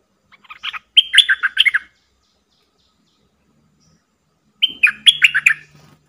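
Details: Decoy bulbul singing to provoke wild birds to fight: two short bubbly phrases of chattering, falling whistles, about three and a half seconds apart, with a quiet low hum near the second.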